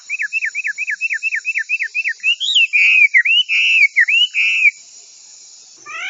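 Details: Hwamei song for tutoring other birds: about fifteen quick identical downslurred whistles in a row, followed by longer rich warbled whistles, silence, and a final rising note.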